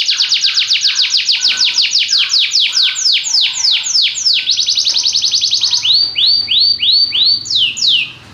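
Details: Belgian canary in full song: a long series of loud descending swooping notes that quicken into a rapid roll, then slower separated upward-sweeping notes near the end, clear and strong.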